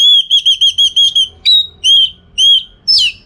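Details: Orange-headed thrush kept for song-contest training, delivering a rapid series of clear whistled notes, then several spaced, slightly rising whistles and a final harsher high note.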